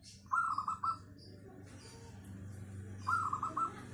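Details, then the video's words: Song of a local zebra dove with a full, clear 'crystal' voice, used as a lure. Two short bursts of quick, bouncing coos at a constant pitch come about three seconds apart, with faint chirping and low hum behind. "Perkutut lokal suara cristal padet cocok buat pancingan"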